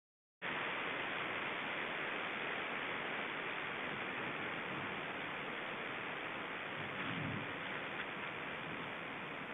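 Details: After a short silence, a constant hiss of static noise begins and runs to the end without any animal call.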